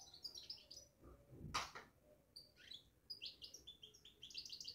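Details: European goldfinch kept caged, twittering in quick high chirps and buzzy notes, with a loud rustling thump midway before the bright chatter resumes.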